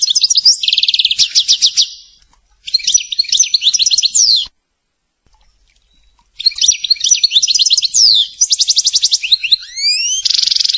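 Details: European goldfinch song recorded for a CD: bright, rapid twittering phrases mixing liquid trills, tinkling notes and buzzy rattles, delivered in bursts of about two seconds separated by short silences, with upward-sweeping notes near the end.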